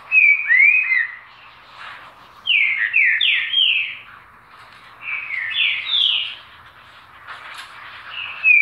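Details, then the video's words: Green-winged saltator song: loud, clear whistled phrases of several slurred, falling and rising notes, delivered in three bursts separated by short pauses, with fainter chirps from other birds between phrases. "CANTO PÁSSARO!!! Trinca-Ferro Lindo Canto!!!"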